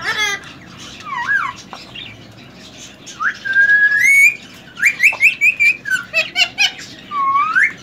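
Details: Pet male ring-necked parakeet, three years old and semi hand tamed, known for whistling: looping and rising clear whistles, then a quick run of sharp bright notes repeated several times a second, ending in an upswept whistle.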